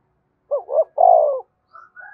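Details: Spotted dove luring other doves with a single phrase, two short notes rising into one long, even coo, followed by faint higher calls.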